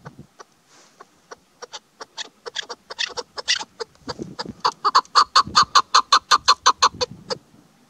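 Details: Female chukar partridge call, used by hunters: a rapid series of harsh clucking notes that start sparse and speed up into a loud, steady chuk-chuk-chuk, about three per second.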